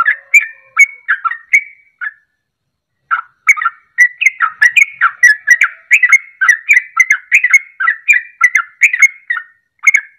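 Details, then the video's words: Sooty-headed bulbul 'ropelan' song for provoking birds to sing; bubbly whistled phrases, a one-second pause, then a long nonstop string of chattering liquid notes. "Ropelan Trucuk Ini Ampuh Untuk Pancingan Langsung Pada Ikut Ropel"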